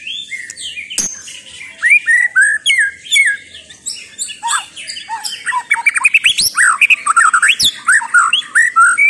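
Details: White-rumped shama in full song, a loud rapid medley of whistled notes, quick upslurs and downslurs and high twittering trills, delivered densely with short pauses, growing busier toward the end; a couple of sharp clicks.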